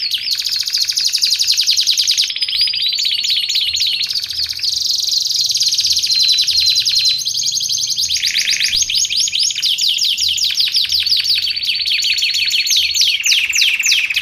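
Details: Canary song used to train and lure canaries: long continuous stream of rapid trills, rolls and quick slurred sweeps, changing tempo and pitch, loud and high throughout.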